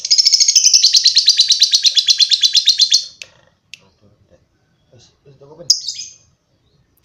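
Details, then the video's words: Long lovebird chatter: a rapid run of shrill, scratchy notes pulsing steadily for about three seconds, then near quiet with a few soft clicks and one short squeaky call. "Love bird ngekek panjang"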